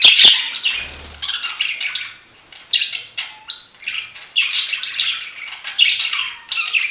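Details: Budgerigar chattering loudly in a continuous stream of harsh, rapid chirps and warbled squeaks in repeated swelling bursts, with a soft thump near the start.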